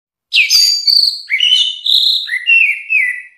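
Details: Orange-headed thrush delivering a flowing three-second phrase: a sharp high downslurred opening, then sustained whistles, then a run of lower warbled notes that step down, each part roughly a second long, with nothing else audible.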